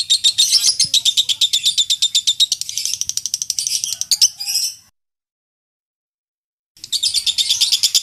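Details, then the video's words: Lovebird singing the extended 'ngekek' chatter prized in singing contests: dense, rapid, high buzzy pulses for over four seconds, a short burst, then nearly two seconds of silence before the fast chattering resumes. "Masteran loveBird Juara"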